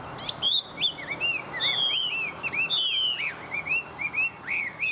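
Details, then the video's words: Tame Chinese hwamei singing well: loud, rich whistled song of rising and falling slurred notes, quick rolling trills and varied phrases, delivered in rapid bursts separated by short pauses, with faint low background hum. "Họa mi thuần hót tốt"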